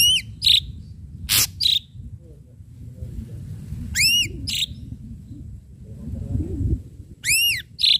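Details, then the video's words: Ashy drongo lure song with sharp strokes: an arched, ringing whistle followed by harsh buzzy notes, the pattern repeated three times. Low background rumble runs throughout. "srigunting abu abu gacor PANCINGAN PUKULAN TAJAM"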